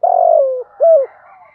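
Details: Spotted dove coo recorded for training and stimulating decoy doves: a long, low, slightly falling hum followed by a shorter arched coo, with faint higher bird twittering behind.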